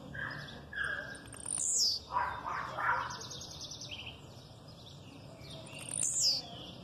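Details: Aggressive song of a blue-black grassquit with female chirps behind it: two high, sharply descending buzzy sweeps about four seconds apart, separated by softer, lower chips and a faint buzzy trill.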